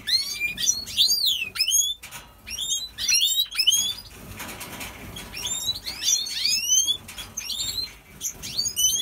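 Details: European goldfinch of the Major Opal type in breeding mood in an aviary, singing rapid bursts of high twittering, sweeping rising and falling notes and trills, with short pauses and faint background rustling.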